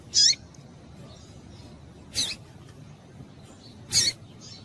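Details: Female Double-collared seedeater calling to stimulate males: three short, sharp high chips spaced about two seconds apart, with a quiet background.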